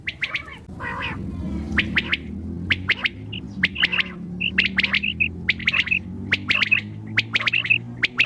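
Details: Common quail calling at night: sharp, clipped, high notes in quick clusters, repeated throughout over a low steady hum; tags suggest it may be a female quail's voice.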